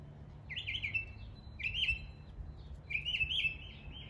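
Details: East Tennessee mockingbird imitating neighbourhood birds with three bursts of warbled, trilling whistles, each about a second long, separated by short pauses, over quiet low hum.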